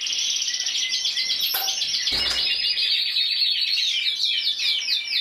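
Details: Champion intense yellow canary from Spain, 2014, 94 points individually, delivering rapid rolling trills and high whistled slurs in a steady flow, with a brief knock partway through.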